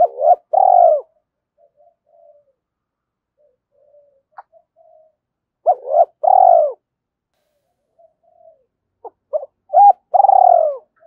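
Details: Spotted dove repeating its two-ending coo to call and challenge wild birds, three bursts about four seconds apart, each with short hooked notes and a longer purring coo, quiet gaps between.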